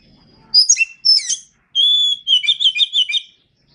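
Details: Song of a kacer, or Oriental magpie-robin, recorded as masteran: two sharp, descending chirp bursts, then a clear sustained whistle and a rapid rattling trill of repeated notes.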